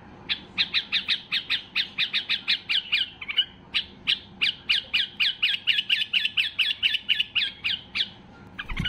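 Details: A white-eared bulbul in peak excited song, used to push other bulbuls into singing, gives a fast run of harsh, squawky notes, about three or four a second, with one brief pause partway through.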